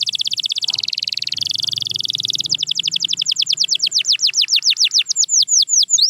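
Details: Canary in full song, used as training sound for quiet canaries: a long dense buzzy trill for over two seconds, then rapid repeated descending whistled notes that slow and widen toward the end.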